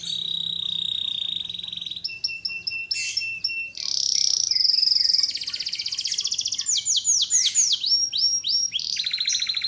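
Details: Canary singing a long, lively, full song: a sustained whistled note, then fast trills, rapid buzzy rolls and a series of sweeping downward slurs, each section changing without pause.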